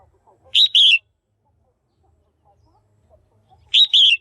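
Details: {'text': 'Female red-whiskered bulbul kept in a cage, calling to excite males or to pair up; two clear double chirps about three seconds apart, a quick note followed by a slightly longer wavering one, otherwise quiet.'}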